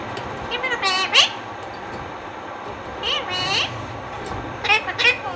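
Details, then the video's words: Indian ringneck parakeet talking in three shrill, raspy, speech-like bursts with bending pitch, each about half a second, spaced by short pauses over light room noise. "Indian Ringneck Parrot Talking"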